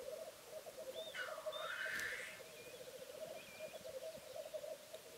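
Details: A male black grouse lekking on a bog gives a steady, low bubbling coo throughout, broken by one loud, harsh hissing sneeze near the start; faint higher calls sound in the background.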